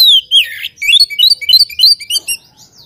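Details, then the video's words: Oriental magpie-robin in full song to stir a rival: loud slurred whistles dropping in pitch, then a fast, varied chain of clear chirps and twitters over silence. "KACER GACOR BIKIN EMOSI LAWAN"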